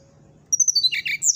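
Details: Brown-chested jungle flycatcher singing in the morning: high, clear whistled notes that step downward, then a burst of buzzy chattering notes and a final rising whistle over a quiet low background hum.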